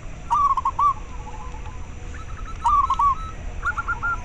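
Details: Local zebra dove, used to stimulate breeding drive in captive doves and as a lure: three short rolling phrases of quick, clear, mid-pitched cooing notes separated by pauses, with faint low hum behind.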